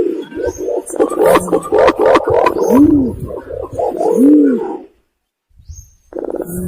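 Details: Imperial pigeon calling as a lure for hunters waiting in a hide: rapid buzzy harmonic notes at first, then two deep, rounded, arching coos about one and a half seconds apart, then near silence and faint noise.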